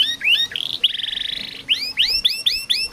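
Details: Canary song used to stimulate sluggish or silent canaries: upward-sweeping whistled notes, a short buzzy rattle, then a run of rising slurred notes repeated about every quarter second.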